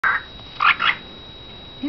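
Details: A 3-year-old male pet cockatiel that says phrases like "hello", "good morning" and "good night sweetheart" gives a few brief, nasal, voice-like syllables, much like mimicked speech.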